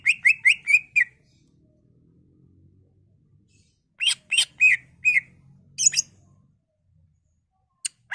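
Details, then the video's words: Greater green leafbird song used to prompt other leafbirds into singing: short bursts of sharp, chirping whistles, four quick notes, then a louder cluster of five or six after a gap, with a faint low hum behind. "Pancingan Cucak Ijo Merangsang Cucak ijo lain"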